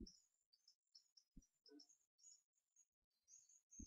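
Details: Two twelve-day-old hawfinch chicks being hand-fed on 4 May 2014 beg with thin, very high chirps in quick irregular bursts, overlapping, over soft low thumps of handling.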